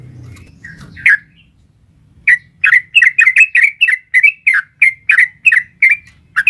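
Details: Female sooty-headed bulbul calling a male in a long, lively song meant to stir a caged bird: after a few scattered notes, a rapid run of bright, bubbly chirps at about three per second. Faint low rumble at the start.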